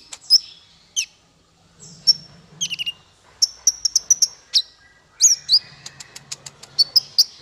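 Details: Song of a male konin, played to teach other songbirds: scattered thin high notes, then a quick run of bright chips around four seconds in, with soft low humming in places.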